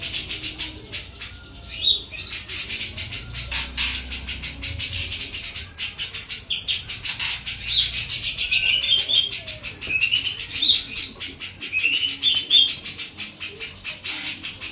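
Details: Sooty-capped babbler singing vigorously and clearly, giving scattered short piercing whistled notes over a continuous fast, high, scratchy pulsing chatter that rises and falls throughout.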